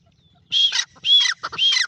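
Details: Francolin calling: three loud, rasping notes with a strident high whistled edge, each followed by a harsher rattling burst, delivered over about a second and a half.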